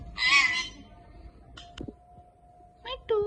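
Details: Pet Indian ringneck parakeet that talks, saying "Allah hoo" and other words; a loud, harmonic, voice-like syllable opens, followed by a few short clicks and brief nasal bursts over a steady faint indoor hum.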